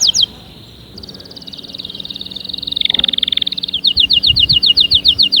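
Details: Canary singing to stimulate other canaries: a brief high slurred note, then a long rolling trill that rises in pitch and loudness and turns buzzy, ending in a fast series of crisp repeated high chips.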